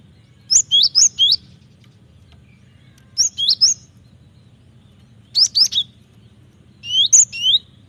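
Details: Cinereous tit song used to train birds: four phrases of three to four loud, high, slurred whistles spaced about every two seconds, each note bright and quick, with a quiet low hum beneath.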